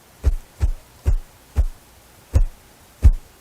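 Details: A wild Ruffed Grouse drums with its wings on a small log very close to a house in the morning. Six deep, muffled thumps come roughly one every half second, spacing out slightly toward the end.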